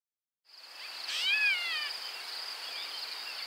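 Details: Gray Catbird (Dumetella carolinensis) gives a single nasal, cat-like mew call that slurs downward, over a steady high insect drone; a secretive bird of dense thickets and shrubs near riparian areas, more often heard than seen.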